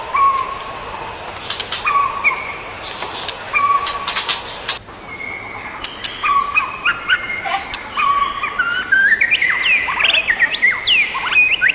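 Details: Wild adult white-rumped shamas, a pair, give steady low whistled notes repeated every second or two, then break into a fast, looping, varied whistled song; insects buzz steadily.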